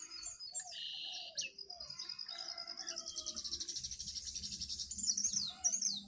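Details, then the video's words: Jongkangan birds, one wild and two caged, singing against each other in a duel: high chattering whistles and trills, with a fast run of rapidly repeated sharp notes in the second half. "jongangan gacor 1 Liar Vs 2 Sangkar"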